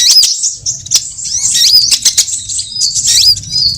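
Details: High-pitched sunbird lure calls for trapping, all kinds mixed: scattered sharp chips, squeaky rising slurs and thin whistled notes, irregularly spaced over a faint low hum.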